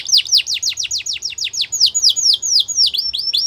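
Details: Yorkshire canary singing, recorded for training other canaries: bright whistled notes sweeping sharply downward, repeated rapidly in a rolling trill that slows slightly toward the end, clear and dominant against a quiet background.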